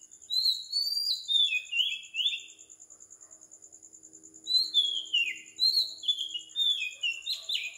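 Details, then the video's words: Oriental magpie-robin in Sri Lanka at 4 am, giving two bursts of bright, downslurred whistles separated by a quiet gap, with a constant high pulsing tone in the background. "Morning Bird Song 4 Meditation Relaxation insomnia Magpie Robin Singing"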